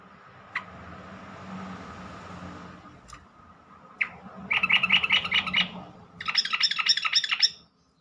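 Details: ['A yellow-vented bulbul calls with a few isolated sharp notes, then two longer runs of fast, buzzy chattering. There is background hiss and hum.']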